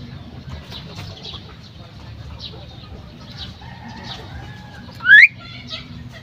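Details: A female common myna gives one loud, upward-sweeping whistle near the end, preceded by faint chattering notes over a constant low hum.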